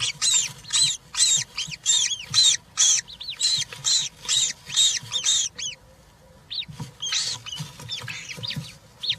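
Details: European roller chicks at a nest on a live camera, three chicks now and one fed a giant grasshopper, 20 June 2023: bursts of arched, high squeaky calls repeated about twice a second, then a pause and scattered calls.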